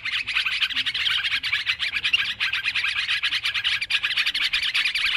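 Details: Sooty-headed bulbuls in a noisy flock, recorded as an MP3 lure for bird trapping: dense, overlapping chattering notes, rapid and continuous, with short bright chirps crowding each other throughout.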